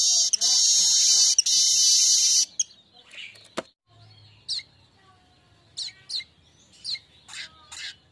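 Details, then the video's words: Streaked weaver lure song meant to stimulate other birds to sing: a long, loud, hissing sizzle lasting over two seconds, followed by quiet pauses and scattered short, high chips. "bikin ngerol✓Masteran Burung Manyar"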